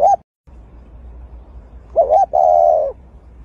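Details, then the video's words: A dove tending its egg gives soft, low coos: a brief note, then after a pause two quick coos and a longer, drawn-out hoot, over faint background hiss. "Dove Bird Sound"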